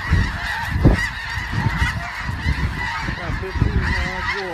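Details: Snow geese in a noisy flock, layered honking calls merging into a continuous clamour with low rumbling background noise.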